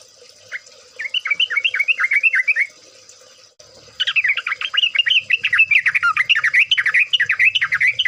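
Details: Trucuk bird singing energetic chattering phrases of rapid rising-falling chirps, about four per second, a short burst then a longer, denser run after a brief gap.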